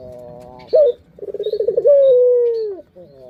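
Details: Lure call of a pet Barbary dove, used to stimulate other birds: a sharp short note, a quick rolling series of pulsed coos, then one long sustained hoot that slowly slides lower.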